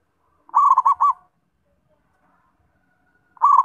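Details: Zebra dove (perkutut) song: a quick stutter of soft cooing notes, then a few rounded coos, given twice with a long silent gap between phrases.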